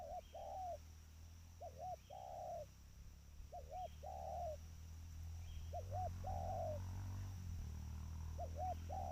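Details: Trained spotted dove cooing repeatedly: two short rounded notes then a drawn-out burry coo, phrases coming about every two seconds over a steady low rumble and faint high chirps.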